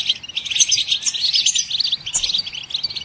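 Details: Goldfinches chirping to encourage songbirds to sing: a continuous bright, jingling twitter of very high, rapid notes fills the whole stretch, barely easing near the end.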